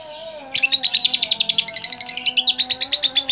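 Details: Contest-winning lovebird ringed in Pandaan, ngekek chatter in head-swaying style while biting cage bars: after half a second of quiet, a fast run of sharp, high chirps about seven per second, over steady low background hum.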